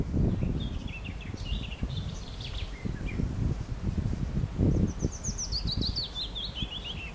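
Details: A willow warbler that is a mixed singer, recorded in 2015, sings soft, sweet phrases sliding down the scale, twice, the second a longer falling cadence, over a heavy low rumble of wind.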